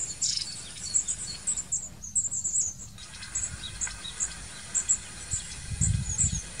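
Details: Long-tailed tit giving high, thin notes, spaced and sometimes in small clusters, more distant, over low rumbling background noise.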